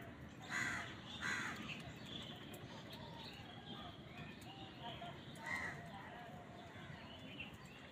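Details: Crows fighting wild birds for food: two hoarse calls close together early on, then another several seconds later, with faint chirps and a steady background rumble.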